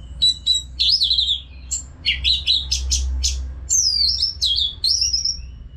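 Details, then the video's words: Anis merah from Singaraja, Bali, singing without pause to encourage other birds to sing. A stream of buzzy chattering notes gives way to long, high, sliding whistles. "ANIS MERAH GACOR TIADA HENTI TANPA NGETEM BAGUS BUAT TERAPI BURUNG AGAR IKUT NGEPLONG NYAUT"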